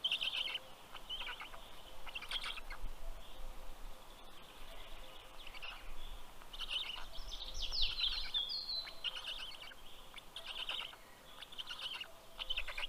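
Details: Nest camera, Karula National Park, Estonia, 11 June 2023 at 11:00 am: black stork chicks greet the adult male delivering fish with rough, hissing begging bursts rising and falling, songbird phrases high above and low rumbling noise.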